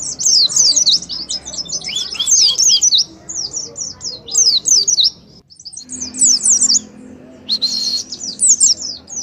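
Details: Oriental white-eye in ngalas song, offered as a lure to stimulate singing: bursts of rapid, sharp high twittering separated by short pauses, with faint low tonal sounds in the background.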